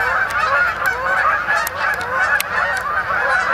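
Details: Canada geese flying in at nightfall to a pond in Ithaca, New York, in October, a busy, overlapping honking chorus with crisp clicking ticks scattered through it.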